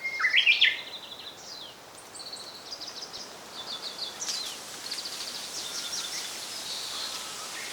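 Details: Japanese robin recorded in 2014: a loud, rattling burst between mid and high pitch opens the clip and lasts under a second. Other small birds follow with thin, high, repeated notes over steady background hiss.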